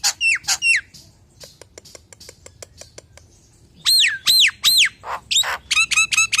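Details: Common hill myna singing a full, varied song used to lure other hill mynas: loud arched whistles sweeping down, a run of short dry clicks, then repeated bright whistled notes and harsh bursts.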